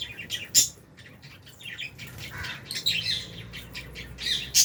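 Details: Lovebirds, including albino and Fisher's, kept in an aviary with budgies while eating food. Many high, short chirps and squeaky tweets overlap in a busy stream, with louder sharp squeaks near the start and end.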